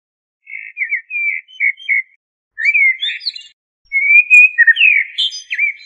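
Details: Common blackbird (Turdus merula) singing: a series of short fluted whistled notes, then a pause and richer warbled phrases. The phrases slide and dip and end in a high scratchy twitter. The background is silent.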